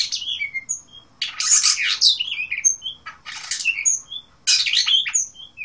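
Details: Blue rock thrush from Asia singing: four dense, scratchy bursts spaced about a second apart. Thin, high whistled notes and short slurred downward notes fall between the bursts. The background is quiet.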